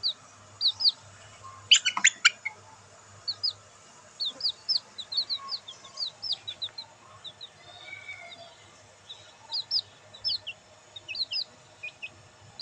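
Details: Black bantam chicks in the sun: sparse, clean high peeps sliding downward, coming singly or in small runs across a quiet background, interrupted early by one brief broad rustling burst.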